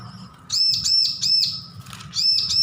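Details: Young bar-winged prinia learning its song delivers rapid, evenly spaced high arched notes in two runs with a brief gap, bright and ringing above a faint low hum.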